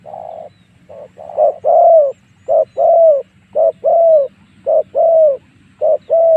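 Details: A lure call of the spotted dove meant to pull wild doves into a fight. Steady rhythm of two-note coos, a clipped note then a longer mellow note, repeated roughly every second.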